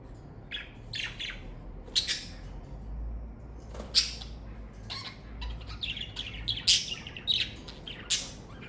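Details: Pet budgerigars in a parakeet family, caged indoors, give bright scratchy chirps and short squawks scattered irregularly, some overlapping, with a faint low hum underneath.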